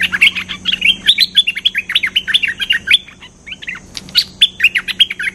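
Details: Cream-vented bulbul in a lure recording, described as lively and vocal: dense, rapid chattering phrases of bright bubbly notes, nearly continuous with one brief pause before resuming, over a faint steady low hum.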